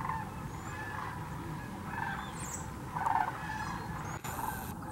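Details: Migrating sandhill cranes by the thousands at Tennessee's Hiwassee Wildlife Refuge near Birchwood: a constant backdrop of overlapping rattling calls, a louder burst near the third second, scattered high twitters, and low rumbling noise.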